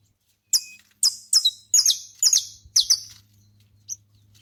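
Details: A saffron finch outdoors gives a run of high, sharp chirps, each a quick downward sweep, delivered about twice a second before fading to a single faint note; a low hum sits underneath.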